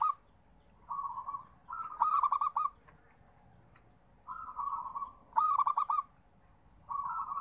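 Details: Local zebra dove singing steadily: gentle rolling coos lead into loud, staccato bubbling phrases, the pattern repeating roughly every three seconds over a soft low background rumble.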